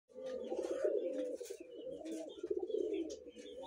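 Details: Red collared doves, young birds five months old, kept near people; low, throaty cooing runs almost without pause, several soft overlapping phrases rolling together, with faint higher chirps and clicks in a small indoor room.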